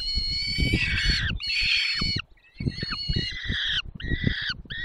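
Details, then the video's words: During a 10:22 feeding in the Barycz Valley on 20 May 2021, a peregrine falcon utters loud, rasping wails in quick succession, with a short quiet break, against heavy low rustling and thudding. "Karmienie 10:22 Dolina Baryczy 20 05 2021 sokół wędrowny"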